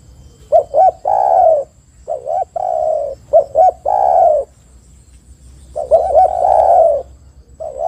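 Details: Spotted dove cooing as a lure call to prompt other doves to sing: low, hollow phrases of two short notes then a longer drawn-out coo, repeated about every two to three seconds, with faint background hiss.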